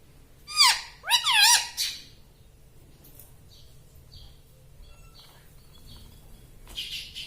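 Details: Pet parrot saying human-like syllables: three quick, high, bending, voice-like notes in the first two seconds, then near silence with faint chirps.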